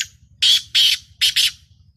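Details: Black francolin, captive, calling in a series of harsh, broadband squawking notes, four loud bursts in about a second, over a low steady background hum.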